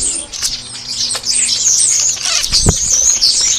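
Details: Starlings crowding a garden bird feeder, chasing the food they want: a dense run of thin, high, whistled squeaks and scratchy chatter throughout, with a brief thud and soft wing noise in between.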